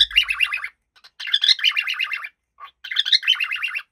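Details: A happy cockatiel chatters in three bursts of rapid, wavering chirps, with a short soft note in a pause.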